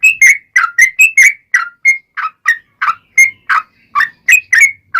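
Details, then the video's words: Lively yellow-vented bulbul song in a long rapid string, meant to lure other bulbuls into answering. Liquid whistled notes alternate between slightly higher and lower pitches in a quick, uneven rhythm, with a faint low hum underneath. "SUARA trucukan gacor ROPEL PANJANG pancingan trucukan agar bunyi"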